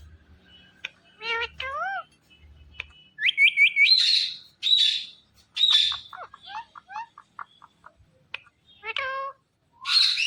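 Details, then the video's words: Indian ringneck parrot producing a varied run of chirps, rising whistles, quick repeated ticks and harsh screechy bursts, with brief speech-like harmonic phrases between them. "Parrot Talking Everything"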